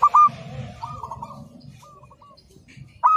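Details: Local zebra dove on a training master: a short loud trilled coo, then softer fading notes, and a loud coo at the end, over a faint low rumble.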